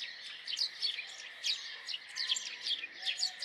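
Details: House sparrow chirping: a run of short, bright, downslurred chirps, several per second and uneven in spacing, over a steady high-pitched hiss in the background.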